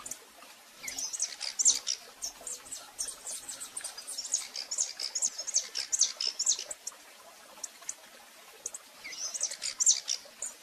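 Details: Live recording from Brazil of a female rufous-collared sparrow calling repeatedly: a long stretch of fast, high chirps, a pause, then a shorter burst near the end, with faint ambient noise.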